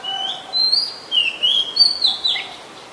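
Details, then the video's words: Oriental magpie-robin, a very common resident, singing in Ubon Ratchathani, Thailand, on 2 July 2022; clear whistled phrases, some rising and some falling, with short slurred notes between, over quiet background. "นกกางเขนบ้าน Oriental Magpie Robin (singing)"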